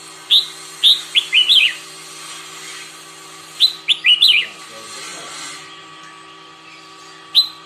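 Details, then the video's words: Red-whiskered bulbul practising its song in the morning: two lively phrases of four or five bouncy whistled notes, then a single clipped note, over a steady mechanical hum. "Chào mào hót - Luyện chào mào hót buổi sáng"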